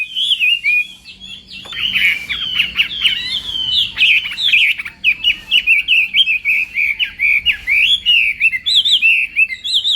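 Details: Chinese hwamei in singing-contest training at dawn, delivering rich rapid warbling that turns into a long chain of quick, evenly spaced whistled notes with varied twists.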